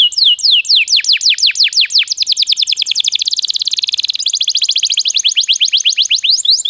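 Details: Canary singing as a lure to set other birds singing: swooping downslurred whistles that speed into dense rapid trills, continuing in quick repeated tours.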